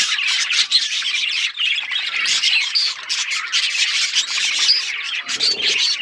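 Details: Dense budgerigar chatter: an unbroken wall of raspy squawks and quick chirps, fairly even in loudness, with brief whistled highlights.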